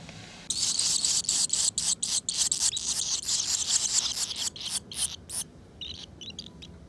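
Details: Four barn swallow chicks in their nest chatter in dense, harsh, high-pitched bursts, about two a second, fading to scattered calls, over a low rumble; strong wind on an April evening in 2020 disrupted the usual feeding rush.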